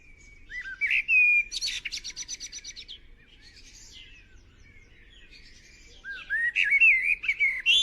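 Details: Fledgling white-eye, small but a greedy eater, during feeding: sharp rising whistled chirps, a brief burst of harsh buzzy notes, a quieter lull, then loud upslurred twittering calls resume toward the end.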